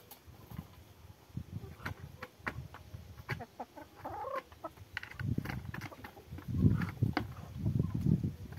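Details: Hens out walking together with ducks: soft, irregular low clucks and murmurs that build in loudness toward the end, with scattered sharp clicks and rustling.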